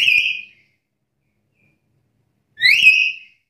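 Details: Black-capped lory calling to challenge opponents: two strong, ringing whistles separated by a long silence, the second sweeping upward then falling away, both rich in overtones.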